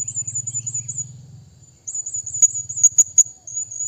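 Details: {'caption': 'Blue-crowned hanging parrot calling a rival with rapid runs of shrill, very high, undulating squeaks, several per second, broken by a few sharp clicking taps, with a low rumble underneath.'}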